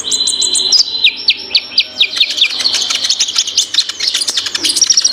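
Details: Ninja sunbird singing thin, very high notes. A quick ticking run leads into repeated downward-slurred chirps, then a dense, accelerating high twitter.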